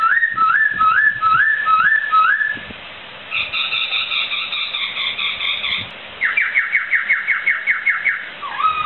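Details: Laughingthrush song used as a training recording for songbirds: a run of repeated rising whistles, then a chattering series of higher notes, then a fast string of sharp upslurred notes.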